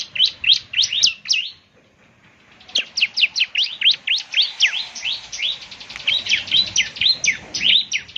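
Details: Gacor song of a ciblek semi, the bar-winged prinia, used as a morning playback to make birds reply: rapid high chirps with quick up-and-down sweeps, briefly pausing near two seconds, then a long, busy, tumbling stream.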